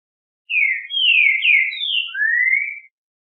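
Green-winged saltator song: a rich, whistled phrase of four or five slurred notes over about two and a half seconds, ending in a long rising whistle, against silence.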